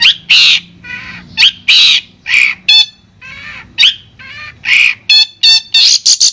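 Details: A Long-tailed shrike sings a rapid, varied medley of harsh squawks and bright chattering notes, in bursts every half second or so with pitch jumping between phrases; used as sound therapy for a shrike that won't sing.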